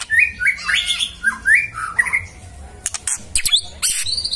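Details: Magpie-robin song meant to trigger replies: a string of warbled whistles, followed by sharp clicks and knocks near the end.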